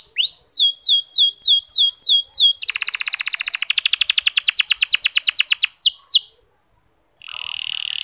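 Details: Canary singing soft 'ngeriwik halus' twitters meant to coax sluggish male canaries into song: repeated falling whistles about three per second, then a dense rapid trill, a short silence, and a sustained buzzy note.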